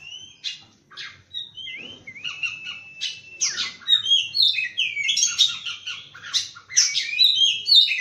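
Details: Morning song of an Oriental magpie-robin: lively, varied phrases of bright whistles, upward and downward slurs and scratchy notes. The phrases grow denser and louder toward the end.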